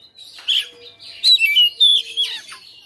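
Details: Oriental magpie-robin kept at home and singing hard in a fighter style, showing off its repertoire. A short run of strong whistles with bright slurred notes, mixed with buzzy chatter between the louder bursts.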